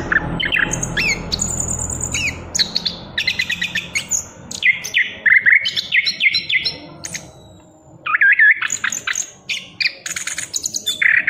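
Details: A young chestnut-capped thrush, moulting out of its spotted juvenile plumage, sings a loud, continuous run of varied phrases: sharp whistles, chattering trills and high squeaky notes, with a brief pause near the end.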